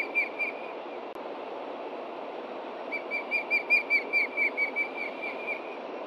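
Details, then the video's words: Alarmed adult osprey at a Montana nest with chicks, reacting to a threat from below on 30 June 2013 around 11:30 AM: a single early chirp, then a rapid run of about a dozen shrill whistled notes over constant hiss. "THREAT FROM BELOW! IRIS AND STAN RESPOND!"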